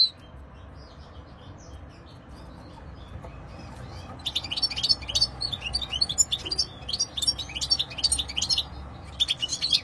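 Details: European goldfinch song, from silvestrismo, the hobby of keeping and singing wild birds: quiet for about four seconds, then a rapid, dense stream of high twittering, tinkling notes and short buzzy chirps runs to the end over a low background rumble.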